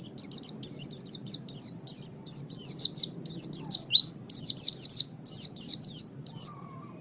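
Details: Oriental white-eye master recording for bird training: a high, rapid warbling series of slurred twittered notes that grows louder and more emphatic over seven seconds, roughly one quick note cluster per beat.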